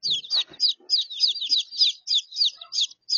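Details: High descending peeps tumble out almost continuously, several per second, from a mixed brood of three-week-old and three-day-old chicks kept together for warmth after the older ones were abandoned by their hen in Australia; a few faint low clucks at the start.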